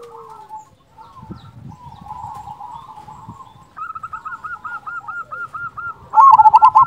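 A zebra dove sings soft, low coos, then a quick run of clipped, bubbling notes that ends loudly.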